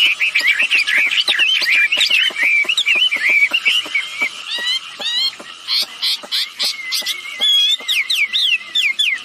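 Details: Female and male wambi birds in full call for luring other birds to join in; fast jumbled whistles and ticks, then buzzier bursts and clearer rising and falling whistled notes toward the end.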